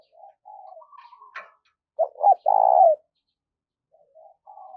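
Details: Decoy spotted dove, a four-note type, coos to draw in wild birds. One loud phrase of two clipped notes and a long burry coo stands out. Faint soft warbling notes are heard before and after it.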